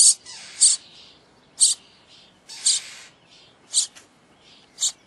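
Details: Common starling chicks at feeding time giving harsh, hissing, broadband begging rasps, about one per second, with short fainter bursts in between.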